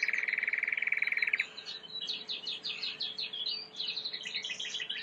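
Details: Timbrado canary training song, quieter and against a hissy background: a fast buzzy trill, then softer scattered chirps and twittering phrases.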